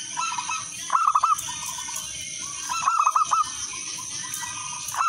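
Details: Local zebra dove song used as a lure to get other doves singing: bright, bubbly cooing phrases of four quick rolling notes, two loud bursts about two seconds apart. Softer coos from other doves and a steady high whine run underneath.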